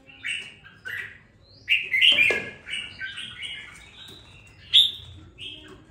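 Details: Caged red-whiskered bulbul raised for two weeks gives scattered whistled and warbled notes, with a dry rustle or wing flutter near the middle and a faint hum behind.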